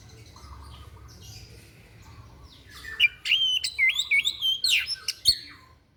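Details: White-breasted bird's strange song for teaching other birds: soft buzzy notes open the clip, then loud, fast whistled twists and sharp clicks run for about two and a half seconds.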